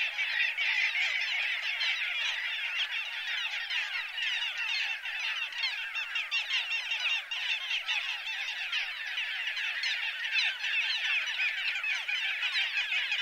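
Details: A dense, unbroken chorus of many little gulls (Hydrocoloeus minutus): short, nasal, high-pitched calls overlapping rapidly throughout, with no other clear sounds.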